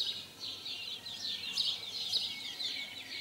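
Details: Continuous high chirping from house sparrows during mating in 2020, notes tumbling over one another in a dense, excited chatter.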